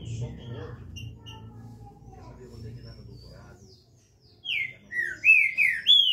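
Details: After human speech, a green-winged saltator bursts into loud, clear whistled phrases in its smooth 'canto liso' song style, each note sliding downward then rising, in rapid series.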